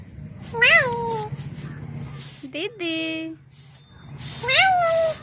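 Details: Talking parrot at home voicing a falling, drawn-out call, then a buzzy harmonic note, then a rising whistled call, over a steady low-pitched hum and background noise.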